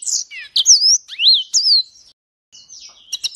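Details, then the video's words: Song of an imported African yellow-fronted canary, also called green singing finch, used as tutor song: bright swooping whistled notes and quick chirps, then a quiet gap and a softer buzzy trill ending in sharp clicks. "Mozambik materi buat isian pleci"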